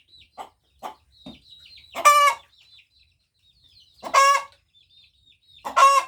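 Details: A hen crows three times, each a harsh, buzzy burst about two seconds apart. Quiet clucks and thin high squeaks come before the first crow.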